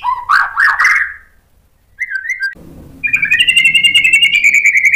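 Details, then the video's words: White-rumped shama provoking song used to draw replies from other shamas: rich slurred phrases, then a short steady whistle, then a rapid buzzy trill that rises slowly in pitch. "KICAUAN MURAI BATU bikin NYAUT EMOSI jadi BUNYI GACOR NGEPLONG BONGKAR ISIAN | PANCINGAN MURAI"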